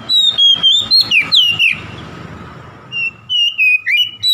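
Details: Oriental magpie-robin, singing to provoke a rival, delivers quick bright whistled notes with falling slurs, pauses amid background hiss for over a second, then resumes with short level whistles.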